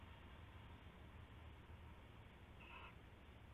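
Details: Owlets inside a nest box late at night, 7 January 2016, giving a single short, raspy screech near the end over a constant loud hiss of background noise.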